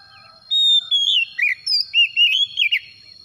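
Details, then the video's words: Lure song of an Oriental magpie-robin, meant to prompt a silent kacer into full singing. A loud pure whistle glides downward, then breaks into a quick run of looping, rising-and-falling whistled notes. "SEKALI PANCING KACER SUSAH BUNYI LANGSUNG ON IKUT GACOR"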